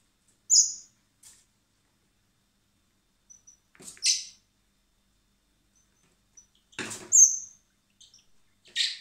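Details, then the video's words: Spring begging by hand-fed common blackbird nestlings at a rescue centre, awaiting release: sharp high squeaks, scattered and irregular, with a brief rustle or click in the middle. "Cebando a los polluelos de mirlo común (Turdus merula)"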